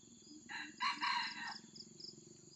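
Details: Red junglefowl crowing while a trapper lures wild birds with a decoy, one of them caught: a single harsh, broken crow of several rough syllables lasting about a second, over steady high insect buzzing and faint low repeated notes.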